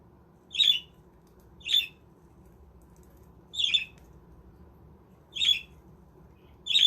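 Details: Budgerigars kept in a home-built budgie village aviary: short harsh squawking calls, one about every second or so, five in all, over a faint steady low hum.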